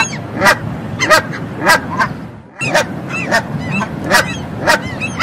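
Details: Canada goose honking: loud, harsh, nasal honks repeated about every half second, several overlapping, with a short pause midway before the calling resumes.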